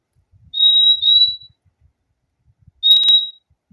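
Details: A long, steady high whistle from a fim-fim, slightly broken in the middle, is followed after a pause by a shorter whistle. Soft low bumps sound in the background.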